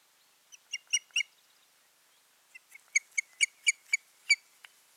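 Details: Ospreys, a pair at their nest on 14 June 2019, giving two bursts of short, sharp, whistled chirps at about four per second, the second run longer and steadier, over a quiet background.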